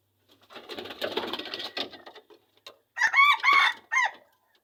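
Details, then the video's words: Wild red junglefowl from Seulawah forest, Aceh Besar, Aceh: a rustling, noisy stretch first, then a short, clear harmonic crow in two or three hoarse syllables near the end. "Ayam Hutan Aceh"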